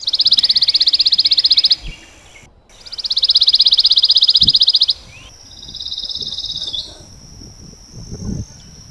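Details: A recorded Pine Warbler song played back at a North Florida Panhandle feeder gives two fast, even, high trills on one pitch, each about two seconds long, then a thinner steady whistled note and faint background noise.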